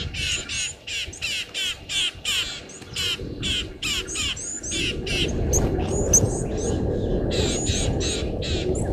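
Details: Rattling cisticola below a waterhole camera at Gowrie dam, Djuma Game Reserve, Sabi Sand Wildtuin, South Africa, at 06:31 on 13 September 2023; harsh, buzzy notes repeated rapidly, about three a second, with thin high whistles above and steady low rumble behind.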